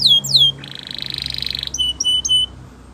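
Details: Gloster canary song used for training: two sweeping downward whistles, a sustained rattling buzz, then a few sharp, clipped whistled notes.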